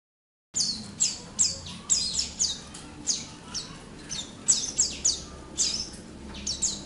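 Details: Oriental white-eye kept together with other white-eyes, singing continuously: a steady run of thin, high, sweeping chirps and twitters repeated roughly every half second, with a faint low hum beneath.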